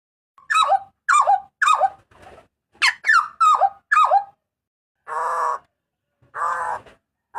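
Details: Papuan butcherbird giving loud, harsh cries: a run of sharp downslurred notes roughly every half second, then two longer buzzy, nasal blasts. Clean recording with no other sounds.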